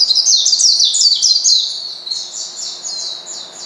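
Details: Oriental white-eye calling a rival to stir it up: a fast, high twittering run of tumbling notes, easing into evenly spaced, descending thin whistles.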